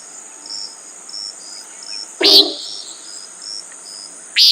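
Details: Common nighthawk calling: one short, nasal, buzzy burst midway, with a second starting at the very end, over a steady high insect drone and faint repeated chirps.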